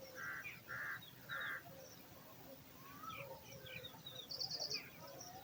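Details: Eagle chick hungry in its nest, awaiting food: three loud, harsh, square-edged squawks in the first second and a half, then quieter chips and a brief high buzzy note against a low murmur.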